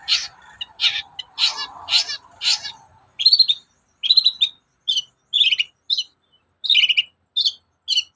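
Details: Long-tailed shrike (cendet) singing in the morning, played as a lure to make other shrikes sing: a run of harsh buzzy bursts repeated about twice a second, then clear down-slurred whistled notes with short pauses between.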